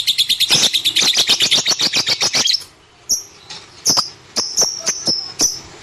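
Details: Pet lovebird chirping: a fast run of sharp, high clicking chirps in the first half, then scattered shrill whistled notes and clicks after a brief pause.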